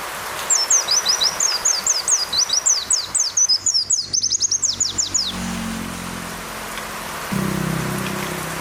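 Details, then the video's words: Oriental white-eye song used as a training track for caged birds, with rain sounds and pauses: a rapid run of thin, high, sharply descending chirps repeated about four per second for five seconds, then rain and low background noise. "Masteran pleci sejalur kombinasi suara hujan + jeda"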